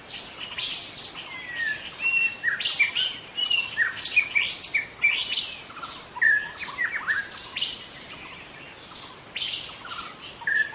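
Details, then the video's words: Wild young White-rumped Shama from the forest singing a long, lively series of ringing whistles, quick slurs and chattering notes, loud bursts alternating with quieter passages above a high hiss. "Kicau murai muda hutan"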